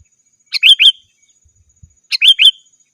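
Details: Calling sooty-headed bulbul, a sound used to draw rivals and wild birds: two bright, liquid three-note phrases about one and a half seconds apart, each note sliding up then down.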